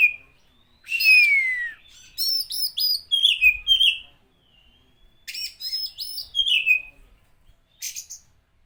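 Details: Oriental magpie-robin song played to rouse and provoke other magpie-robins. A long, pure whistle glides downward, followed by groups of quick, bright, warbled notes separated by short silences.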